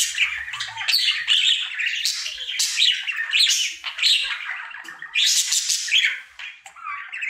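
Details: Male budgie singing his happy daily routine: rambling warble of clicks, squeaks and short whistled slurs, continuous with brief dips, some rising and falling whistled notes toward the end.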